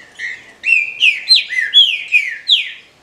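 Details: Captive female trinca-ferro, or green-winged saltator, whose calls are played to stimulate males: a quick string of clear whistled notes, each sliding downward, some briefly held, about three per second.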